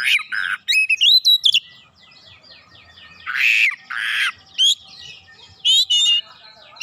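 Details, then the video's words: Lure song from an oriental magpie-robin in full voice: fast sharp whistles and chatter, a long soft twittering stretch, two loud harsh rasps, then more quick bright chirps. "PANCINGAN KACER LANGSUNG GREGET GACOR BONGKAR ISIAN"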